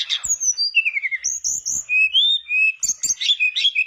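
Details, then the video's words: Mangrove blue flycatcher singing energetically, used as a lure to get silent birds of its kind singing; high clear whistles in varied phrases, some sliding downward, with quick chattering notes near the end. "Pancingan burung tledekan bakau gacor biar sikatan bakau macet ikutan gacor"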